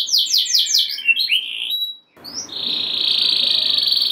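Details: Canary singing to stir other canaries: quick downward-slurred whistles and a sliding note, a moment of silence, then a long, steady, buzzy high trill held to the end.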